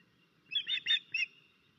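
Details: Osprey at its nest in Estonia on 13 May 2024, with a crow attacking the nest, gives alarm calls: three short, harsh, high notes about a third of a second apart, strident and slightly whistled, over a quiet background.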